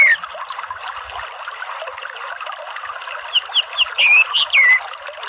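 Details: Orange-headed thrush song for birdkeepers, meant to coax a bird from ngeriwik chatter into ngeplong style. A busy background of soft high twittering gives way to a few loud, clear whistled notes and short slurs near the end.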